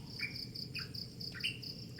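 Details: A morning bird gives about four quick chirps, each rising sharply then held briefly, against a continuous pulsing cricket trill.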